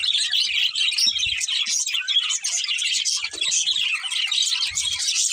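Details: Two budgerigars chirping nonstop with fast, high, scratchy warbles and squeaky tweets, and a few faint low taps.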